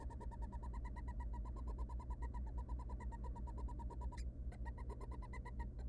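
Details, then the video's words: In a monitored nest box, three small wild barn owl chicks beg as their mother feeds them, giving a quick repeated train of buzzy pulses, briefly interrupted by a scuffing noise, with constant low electrical hum. "3 hungry tiny barn owl nestling get fed by their Mom"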